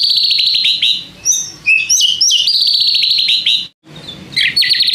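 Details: Provoking song of a White-rumped shama, used to draw responses from other shamas: a long fast buzzy trill flanked by high whistled notes, a brief silence, then the trill resuming.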